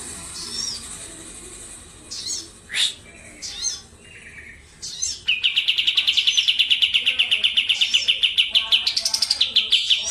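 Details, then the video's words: June 2025 recording of a Medan kapas tembak white-eye: scattered high chips and twitters at first, then a sustained, loud, very rapid rolling trill that runs for about five seconds. "KAPAS TEMBAK MEDAN GACOR ISIAN SUARA PEDAS NGEROLL SPEED NEMBAK EDAN LEPAS TROTOL"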